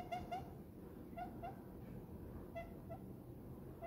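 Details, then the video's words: Contented pet diamond dove nestling in a palm, giving short, soft cooing notes in pairs and singles separated by brief pauses, with a low continuous background rumble. "diamond dove happy short coos"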